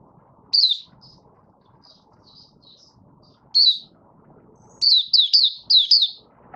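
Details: Malaysian Oriental white-eye kept as a hobby cage bird, 'buka sing' opening song on 1 August 2023: an isolated sharp chirp, faint high notes, another chirp, then a quick burst of four or five bright slurred notes.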